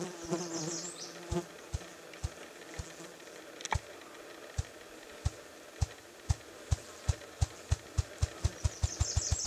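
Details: Ruffed grouse (Bonasa umbellus) drumming on a log in northern Minnesota: low, hollow wingbeat thumps start slow and speed up into a rapid roll, with faint high bird calls and a soft hum behind.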